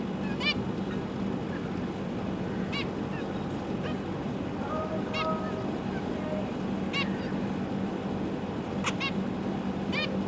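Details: Zebra finch family in captivity on 12 December 2022, with parents feeding three juveniles and three newly fledged babies: short nasal, honking calls every second or two over a steady low hum and background hiss.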